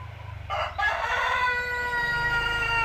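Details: Village chicken, seven months old, giving a sustained crow that starts with a rough burst and settles into a long, even, ringing note. A low rumble runs underneath throughout.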